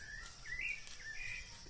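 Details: A wild sabiá thrush sings two clear whistled phrases that slur upward, then level off, over a steady hiss; experienced keepers say a singing sabiá signals the season is approaching.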